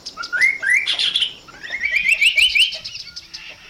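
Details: Chestnut-capped babbler, called kasokaso locally, giving two rising runs of quick upslurred whistles, the second building into a bright accelerating series before fading into faint ticking.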